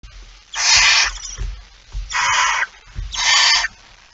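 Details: Barn owl at a nest with prey, recorded 23 September 2019 just after midnight; three harsh, breathy hissing screeches, each about half a second long, separated by short pauses with faint low thumps between them.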